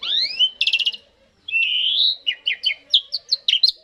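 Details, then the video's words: Asian pied starling, a recording meant to set starlings singing: a rising whistled slur, a buzzy rattle, a sustained bright whistle, then a string of quick chopped chirps. "jalak suren langsung ikut bunyi"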